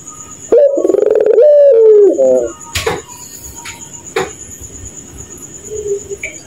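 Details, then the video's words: Night-time puter pelung dove: a single loud wavering coo with a stuttered tail, then near quiet with faint clicks and a distant thin tone. "Burung Puter Tertawa Kuntilanak Jahat di Malam hari"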